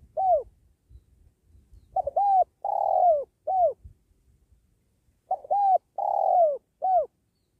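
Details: Wild spotted dove of the penguku type with many filler notes, trapped beside a sacred tree; a short coo, then two full phrases of quick stuttering notes, a drawn-out descending coo and a short final note.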